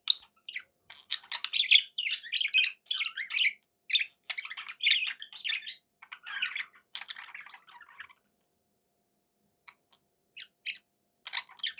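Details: Pet budgerigars warble in a steady stream of scratchy chirps and squawks for about eight seconds, then fall nearly silent, with a few scattered clicks and a last short burst of chatter.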